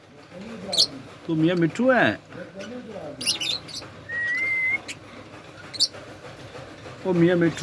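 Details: Pet Indian ringneck parrot bathing and talking: wavering, speech-like syllables, a single clear rising whistle, then more voice-like babble and short high squeaks.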